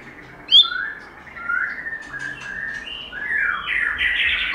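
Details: White-rumped shama singing in wild style in an uncut recording used to train and rouse shamas: a sharp high note, then softer warbled phrases building into louder, rapid chattering song over steady background hiss.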